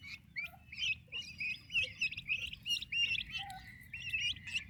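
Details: Turkey poults under the care of their mother, described as fast-growing and active; rapid, repeated high whistled peeps with quick up-and-down inflections, many birds calling together almost without pause.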